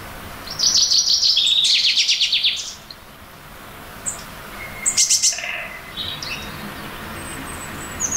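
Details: From a tree branch, a Eurasian blue tit announces its territory near its nest hollow in early April. Very high thin notes lead into a buzzy, rapid trill lasting about two seconds. After a pause comes a shorter second phrase with scattered chirps.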